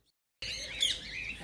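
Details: Green rose-ringed parakeets, played to stimulate other parakeets to sing and mate: a dense burst of shrill, overlapping chirps and squeaky twitters, starting abruptly after a short silence.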